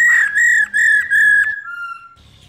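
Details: Female black-throated laughingthrush calling nonstop to arouse males: four loud, steady whistled notes in quick succession, then one softer, lower whistle that fades away.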